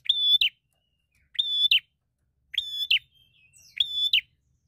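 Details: A bar-winged prinia, singing as a fighter looking for a rival, gives four harsh buzzy notes with snappy endings about every 1.2 seconds, with a faint thin whistle heard between them.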